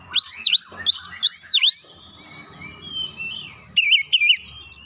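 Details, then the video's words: Lure song of an Oriental magpie-robin meant to trigger a stubborn response, with 'isian' repertoire: rapid looping whistles for nearly two seconds, a quiet warbling pause, then two loud closing notes. "PANCINGAN KACER LANGSUNG RESPON NGOTOT BONGKAR MATERI ISIAN"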